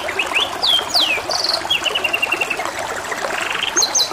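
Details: Kenari, a canary, in song with gurgling water behind; sharp upward and downward whistled sweeps, a long even trill of repeated notes, and short high chips, all over constant water noise.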